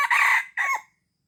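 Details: Red junglefowl from Aceh, used as a lure for wild junglefowl, giving a short loud harsh crow in two parts: a broad rasping first syllable, then a falling second one that ends abruptly.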